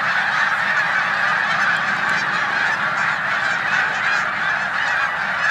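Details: Snow goose flock stopping over in a corn field at Savannah, New York, 14 March 2020, before heading to the Canadian tundra, Canada geese nearby; continuous roar of high, barking honks from many birds at once.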